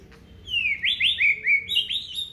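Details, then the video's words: Aceh white-rumped shama, a kept songbird, gives a fast series of clear whistled notes, each sliding down, linked into one bright flowing phrase. "FULL KICAUAN BONGKAR ISIAN MURAI BATU ACEH"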